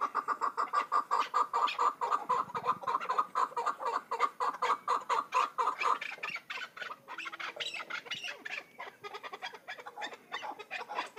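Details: Hybrid chukar partridge giving a rapid run of harsh clucking chuk notes, about two per second, steady for several seconds, then breaking into a busier, more jumbled chatter; a man speaks nearby.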